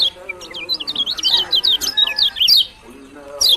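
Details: Lemon-bellied white-eye from Lombok (kecial kuning) pouring out a dense string of high, quick, zigzagging chirps for about two and a half seconds. A brief high note follows after a pause, over faint lower tones.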